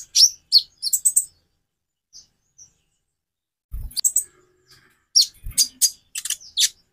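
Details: Van Hasselt's sunbird, known locally as kolibri ninja, singing a variation meant to make other birds sing: bursts of very high, sharp chirps and trills separated by a long near-silent gap, with occasional low knocks.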